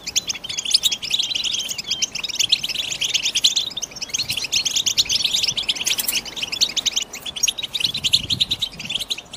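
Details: European goldfinch sings a fast, continuous run of bright, tinkling twitters and buzzy trills, high-pitched and almost without pause.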